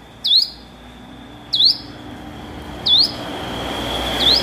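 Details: Hill prinia practising its song with four strong, upward-flicking chirps spaced about every 1.3 seconds, a thin steady tone and soft background noise behind.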